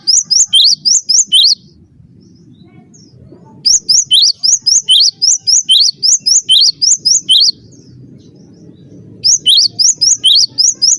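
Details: Master recording of a cinereous tit for training other birds: repeated bursts of piercing, high two-toned chirps, several per second, broken by pauses of a couple of seconds filled with faint low rumble.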